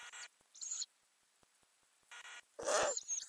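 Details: High, wheezy hissing squeals from Ural owls in a nest box where owlets are growing, recorded in May 2020 by a camera set inside under the lid, broken by loud scuffling and scratching noises.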